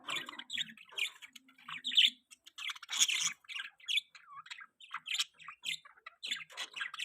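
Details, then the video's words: Mating budgerigar warbling steadily, with a dense stream of short squawky chirps and fast rising and falling twitters, barely pausing for seven seconds. "budgie chirping sound|budgie voice|budgie mating"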